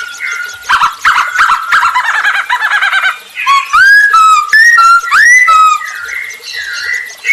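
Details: Masked laughingthrush singing persistently as a lure for other birds: a rough buzzy chattering stretch, followed by loud, clean, rising whistles and slurred notes given in quick succession.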